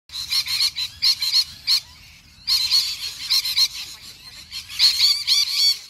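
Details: Wild lorikeets in the suburbs of Melbourne, Australia, giving harsh, grating screeches in quick bursts, with a brief lull near the middle before a renewed noisy run of chattering shrieks.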